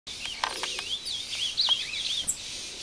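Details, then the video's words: Caged Ultramarine grosbeak, a breeder's bird named Barracuda, taken into the woods near Passos, Minas Gerais, Brazil, fighting with a wild bird: high whistled warbling phrases with wavering, looping notes, over steady rural background noise. "Azulão Cantando e Brigando com o solto no mato"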